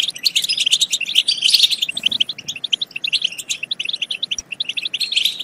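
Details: Goldfinch song for stimulating singing and mating; rapid, rhythmic series of sharp chirps and tinkling trills, densest in the first two seconds.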